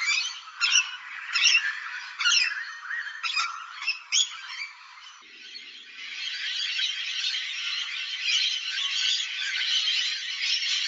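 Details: Rainbow lorikeets giving harsh, buzzy screeches in irregular bursts, roughly one a second for five seconds. These give way to a dense, continuous wash of shrill chattering from many birds.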